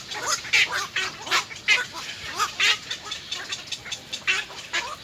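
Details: Three little egret chicks begging for food at their nest, biting the parent; harsh rasping squawks repeated roughly every half second amid a steady background hiss.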